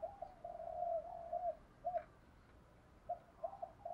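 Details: Distant-sounding spotted dove decoy cooing to lure wild birds: faint, steady low coos and short hollow notes over a noticeable background hiss.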